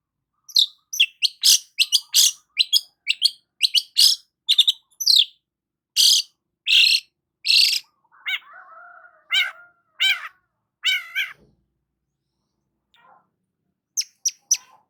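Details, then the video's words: Long-tailed shrike in morning sun delivers a long varied medley: sharp high chips and harsh bursts, then lower warbled phrases, trailing off before a few final high ticks. "KICAUAN BURUNG CENDET SAAT BERJEMUR DI PAGI HARI"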